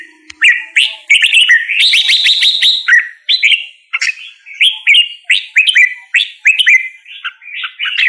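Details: Red-whiskered bulbul singing a series of clear, slurred whistles, many sweeping up then down, repeated roughly every half second, after an opening burst of dense, scratchy chatter.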